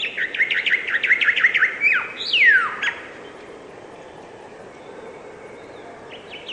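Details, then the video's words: Chirping bird: quick repeated downslurred notes followed by two strong descending sweeps, then near quiet with a few faint distant chirps at the end. "Beautiful and relaxing bird chirping sound"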